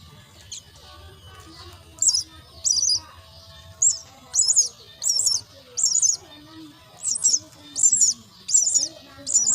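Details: Myna chicks begging while fed at the nest: loud, harsh, high wheezy bursts repeated about every 0.7 seconds after a quieter start, with faint low murmuring beneath.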